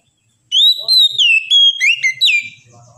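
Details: Oriental magpie-robin giving a loud phrase of smooth, sliding whistles, several long notes linked by quick slurs and ending in a falling note, on a quiet background.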